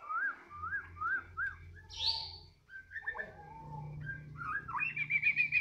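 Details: White-rumped shama (murai batu), singing vigorously (gacor) right after being fed. Clear whistled phrases that rise and fall, repeated about once a second, then a short buzzy note and a quick high trill at the end. A low hum runs underneath.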